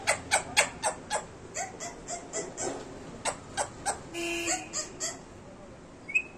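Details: A talking Indian ringneck (rose-ringed parakeet) gives a fast run of harsh, clipped, speech-like syllables, about four per second, speaking Hindi words such as "mithu beta", then a brief drawn-out tonal note.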